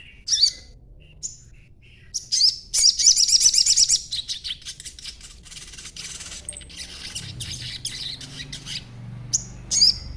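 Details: High, thin twittering from a juvenile crimson sunbird meant to make other birds reply; sharp chips, then a quick rattling burst of high notes, a quieter stretch with low background rumble, and a final pair of chirps.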